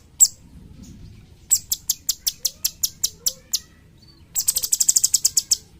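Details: Cucak cungkok, a bulbul used to train songbirds, gives one sharp chip, a pause, then a measured series of high ticks about five per second, ending in a quicker, denser chattering run.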